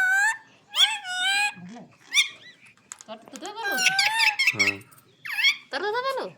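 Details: Green parrot talking indoors: rapid squeaky speech-like syllables with bending pitch, harsh nasal bursts and whistly tones packed closely together, a few short pauses between phrases.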